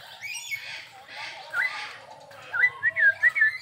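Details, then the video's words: Crested myna singing gacor-style at a zoo park in Perbaungan: breathy rasping notes, then a string of quick slurred whistles, bending up and down, repeated several times in close succession. "Suara Burung Jalak Hongkong Gacor"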